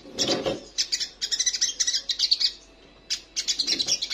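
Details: Female crimson sunbird calling for a male while in breeding condition: quick, high, scratchy chattering phrases of rapid chips, broken by a short silence before another twittering run.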